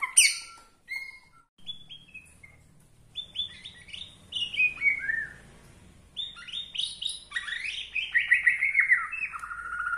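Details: Borneo-type white-rumped shama singing to stir up other shamas: scattered short whistles building into cascades of descending chirps, softer and more spaced than a full song.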